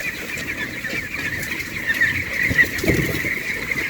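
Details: A crowd of white broiler chicks on a farm peeps without pause, thin high chirps overlapping into a steady shrill chorus, with a low rustle beneath.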